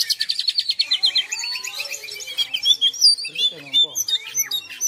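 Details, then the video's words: An Oriental magpie-robin sings non-stop, a rapid, varied run of high whistles and chattering notes that opens with a fast trill and shifts into sweet, slurred phrases. "Burung Kacer Gacor Tanpa Henti"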